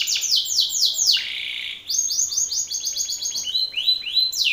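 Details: Belgian canary male singing forcefully at an opposing male: bright descending sweeps, a long steady buzzy note, then fast chattering rolls of repeated syllables at varying speed.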